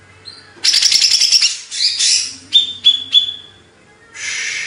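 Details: Greater green leafbird song, a bird from Banyuwangi, Indonesia, kept in the songbird hobby: bursts of rapid high chatter, then three sharp, ringing whistled notes, a pause and a breathy hiss.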